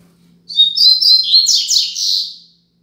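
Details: Tutor song of the Double-collared seedeater, Braddock style 'Tui Tui Zel Zel Top', meant for young birds to learn: a two-second phrase of high twittering notes that drops into slurred, buzzy downward sweeps near the end.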